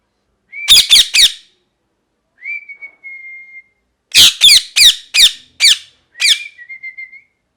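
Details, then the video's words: Parrot calling: bursts of three to six loud, harsh, rapid chirps alternate with a long, thin, steady whistle, then more chirp bursts ending in a short wavering whistle. "Parrot Chirping Sounds | Natural Parrot Sounds | Parrot Calling Sounds"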